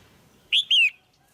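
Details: Female red-whiskered bulbul giving a pairing call to stimulate a male: one short whistled note followed by a longer note that glides downward, loud and clear in a quiet setting.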